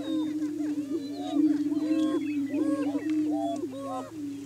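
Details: Spring morning courtship of Greater Prairie Chickens on a hilltop lek in Washington County, Kansas, establishing breeding territory; a low continuous booming drone with frequent arched whooping calls and scattered cackles from a group of displaying birds.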